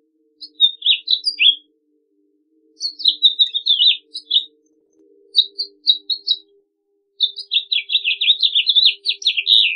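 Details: Haemorhous mexicanus delivering short bursts of warbling song separated by pauses of a second or more, ending in a longer rapid run of slurred, descending notes; a soft steady hum lies underneath.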